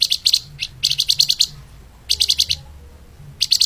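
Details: Lemahan speed rapat song of a flamboyan bird, used to train other songbirds: short groups of three to eight high clipped chirps, separated by gaps of under a second.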